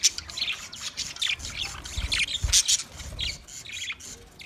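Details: Budgies from twenty pairs chirp in a crowded chorus, short bright squeaks and scratchy notes tumbling over each other, with faint low rumbling.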